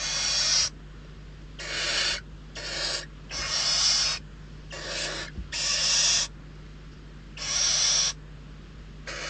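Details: Famished barn owl chicks competing for prey at Riet Vell Natural Reserve, Ebro Delta: a rapid run of about eight broad, wheezing hiss-screeches, each under a second, coming in quick succession with short breaks.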